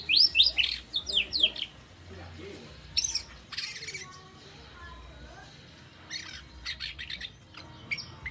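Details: Young white-rumped shama, three months old and still spotted, practising fill-in phrases and sharp 'shot' notes; short bursts of high, fast sweeping whistles separated by quiet gaps, with faint background hum.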